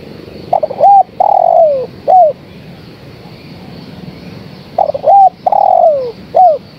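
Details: A female spotted dove gives two cooing phrases to call the male, each made of a stuttered opening, a clear arched coo, a long coo gliding lower and a short final coo, with a pause of about three seconds between them.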